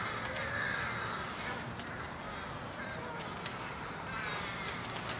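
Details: American crows massing at an evening pre-roost, Charleston, Illinois, USA, 16 January 2015, give harsh overlapping caws in a dense rapid chorus, with scattered clicks.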